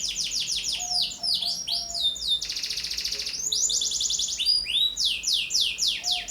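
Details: Lively singing of a young canary used as a lure and tutor song: runs of rapid downward whistles, a short dense buzzy trill in the middle, then more bouncing swept notes.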